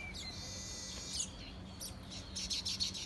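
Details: Short bursts of high bird chirps in quick, irregular clusters, opening with a drawn-out faint whistle, over quiet background hiss.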